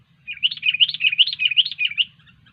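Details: Sooty-headed bulbul giving a vigorous gacor song, a lively string of about nine bubbly, chirping whistles delivered evenly across two seconds, with a soft low background hum.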